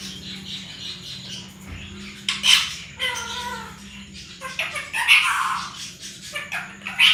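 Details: Talking parrot imitating human speech in Sindhi and Urdu, saying phrases such as mithu put and miyan mithu; harsh, speech-like squawked syllables in several bursts over a steady background hum.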